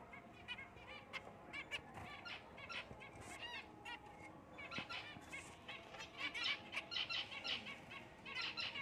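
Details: Black cheek jumbo zebra finches calling busily: many nasal, trumpet-like beeps overlap in quick irregular bursts, getting denser toward the end, over a steady low hum.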